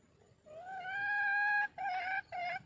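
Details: Red junglefowl hen calling for a mate: one drawn-out, nasal, slightly rising tone of about a second, followed by two shorter, similar notes, with a faint steady high hiss behind.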